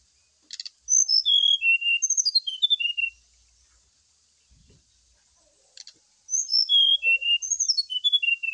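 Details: Brown-chested jungle flycatcher therapy and lure song, played while the bird is dew-aired: two long phrases of sweet high whistles tumbling downward in steps, each introduced by a short rattle, with a pause between.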